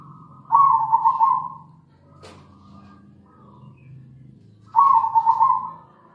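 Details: Local zebra dove singing, used as a lure to prompt other doves: two loud, rolling coo phrases separated by about four seconds, with a sharp click and soft low murmurs in between.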